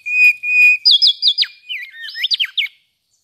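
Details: Mangrove whistler singing: two steady whistled notes, then a quick run of high, slurred, chirpy whistles rising and falling, with short loud notes packed close together toward the end.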